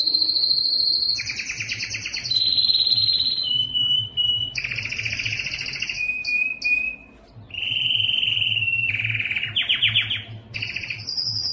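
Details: Yellow canary giving a varied song of many linked tours: buzzy rolls, clear level whistles, high rapid trills and a short pause midway, each phrase at a different pitch.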